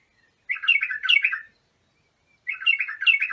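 A bulbul sings two bright, bubbling warbled phrases, each about a second long, with a pause between them. The background is quiet.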